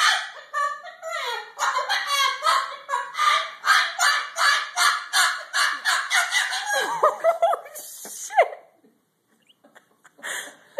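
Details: Pet Moluccan cockatoo cursing angrily: a rapid run of loud, harsh, harmonic syllables repeated about once a second for eight seconds, ending in a sharp rising squawk, then near silence.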